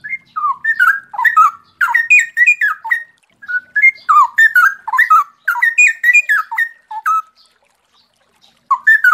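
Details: Clear loud song of a Straw-headed bulbul, locally cucak rowo: rapid flowing series of mellow, gurgling whistles rising and falling in pitch, in bursts lasting several seconds with short pauses between.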